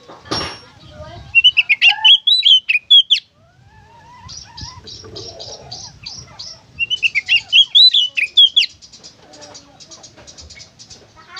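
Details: Oriental magpie-robin singing lively, varied song used to coax kept birds into song: two loud bursts of sweeping whistles separated by fast, evenly repeated chip notes and soft twitters, with a knock at the start.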